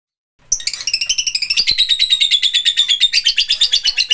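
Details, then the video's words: Lovebird giving a rapid, continuous run of shrill, high chirps, roughly three per second, the notes sliding slightly downward and blurring into a buzzy chatter that carries on steadily to the end. "Backsound suara burung Love Bird"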